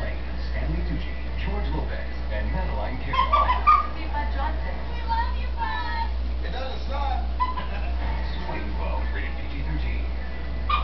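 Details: Female pet green-winged macaw talking up a storm when she thinks no one is in the room: bursts of speech-like, wavering harmonic phrases mid-clip over a steady low hum.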